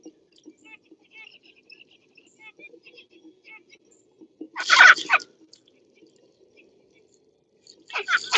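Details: Pet zebra finches give soft, high, nasal chirps in quick scattered bursts, then two loud, harsh, rustling bursts break in.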